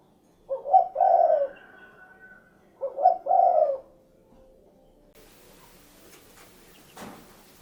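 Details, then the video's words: Two low husky coo phrases from a spotted dove about two seconds apart, each with a broken start and a long rolling note, followed by faint hiss and a brief crackle. "SUARA BURUNG DERKUKU / CUKURUKUK KUK GERUK"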